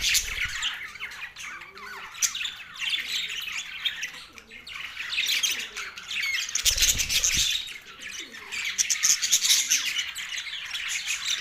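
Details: Budgerigars from Australia chattering in a group, mating time, November 19, 2023; busy high-pitched warbling and chirping with squawks, a couple of low thumps or knocks near the start and middle.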